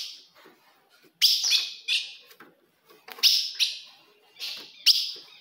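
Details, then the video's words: Female-style call of the ultramarine grosbeak, called fogo de fêmea, for provoking a male: sharp high chips arriving mostly in close pairs, separated by quiet gaps of about a second. "se o seu azulão não segura fogo de fêmea Esse é o vídeo"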